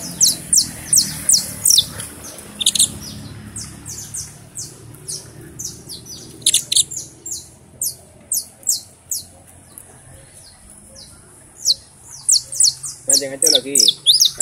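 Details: Criollo canary from Valencia singing while held in the hand: bursts of very high, sharp repeated notes in quick runs, pausing and resuming, with people talking softly and a brief lower warbling phrase near the end.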